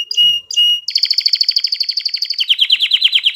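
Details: Canary in song, meant to stimulate females to mate and train young birds; two clear whistled notes open into a rapid rolling trill that drops slightly lower in pitch near the end.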